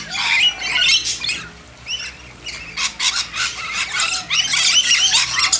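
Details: Shrill, grating screeches from lorikeets hand-fed in a backyard, tumbling over each other in quick uneven bursts with almost no pauses.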